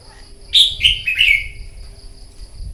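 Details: Newly wild-caught red-whiskered bulbul, prompted into competitive morning singing: one quick warbled phrase of several bright, slurred notes, clear and high, lasting about a second, ending in a falling trill, over a faint low hum.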